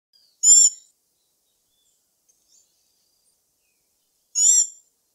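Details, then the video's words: Black-backed tanager (Stilpnia peruviana) giving two short, sharp, high-pitched notes about four seconds apart, each a brief bright burst with a faint lower sliding tone, silence between them. "Canto da Saíra Sapucaia Stilpnia Peruviana"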